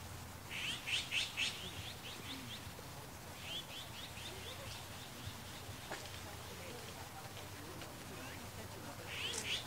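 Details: Azure-winged magpie, recorded alongside a Japanese sparrowhawk predation, gives harsh, raspy notes in quick bursts of three or four, with long pauses between bursts, over a low steady background hum.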